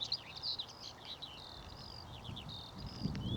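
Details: Skylarks sing over downland meadow on West Hill, about 652 feet up near Devil's Dyke, on a balmy 16 June 2022 with a cooling breeze. A fast, unbroken stream of high chirps, trills and warbles pours out over low wind rumble.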